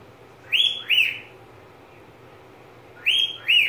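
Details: Pet budgerigar calling in bright paired whistles, a rising note followed by a falling one, repeated twice with a quiet gap of about two and a half seconds; faint low hum underneath.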